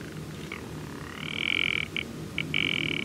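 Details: Rock ptarmigan, a bird noted as easier to hear than to see, giving dry croaking rattles: a long grating rattle, a short burst, then another long rattle, over a faint low rumble.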